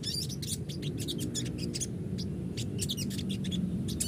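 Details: Crested jay song used as a lure so the bird calls often and responds: quick, scratchy, high twittering notes delivered in a near-continuous irregular stream above a low rumbling background.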